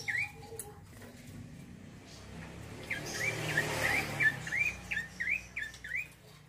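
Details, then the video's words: Male bar-winged prinia in rolling ngeroll song. A couple of chirps, then quiet with a low hum, then a fast run of about ten bright, upslurred notes in the second half. "PRENJAK COKI JANTAN NGEROLL GACORR"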